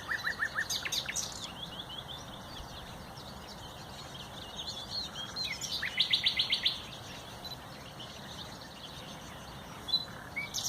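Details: Common nightingale, 30 April 2021, delivering separate song phrases: a quick stuttering series of pulsed notes at the start, a pause, then a louder rapid trill of crisp repeated notes, and a short final note.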